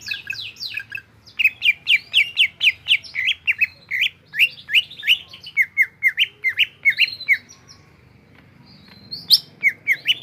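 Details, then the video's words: Greater green leafbird from Indonesia singing energetically in the gropyokan style, a long dense run of varied chirps, slurs and whistles, followed by a short pause and then a few more sharp notes. "BURUNG CUCAK IJO GROPYOKAN GACOR"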